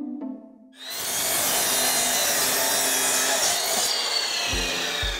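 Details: Loud, harsh sawing of wood with rasping strokes after a brief quiet hum, then a few dull knocks near the end.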